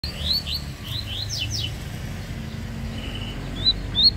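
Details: Yellow-bellied seedeater (coleiro baiano) singing in a contest: short high whistled notes and rapid downslurred phrases early on, then a few sharp upslurred notes, over low rumbling background noise.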